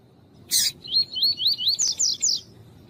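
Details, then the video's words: Coleiro tuí-tuí singing in a recording meant to warm up a male, female calling too: a loud click opens a string of rapid rising whistled notes, ending in three higher, rougher slurs. "ESQUENTA COLEIRO TUÍ-TUÍ COM COLEIRO TUÍ-TUÍ E FÊMEA CHAMANDO"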